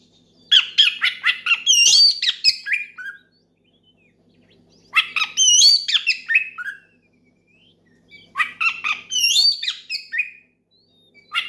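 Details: Oriental magpie-robin pouring out a loud ngeplong song to call a rival, meant to make other magpie-robins sing. Three energetic phrases of stuttering clicks, high ringing whistles and falling slurs come with quiet pauses between them.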